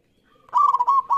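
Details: Zebra dove, a local bird heard in an audition of singing birds, giving a short loud rolling coo of rapid trilled notes held at one pitch.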